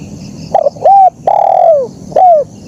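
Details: Spotted dove cooing a clean, clear phrase: a short soft note, then a pair of hollow, mellow coos, the longer one gently falling at its end, followed by a final drawn-out coo.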